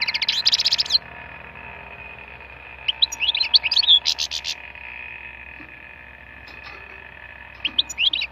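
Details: Wild European goldfinch singing in short bursts of bright, rapid twittering notes, separated by pauses of a couple of seconds, over a steady faint background hum.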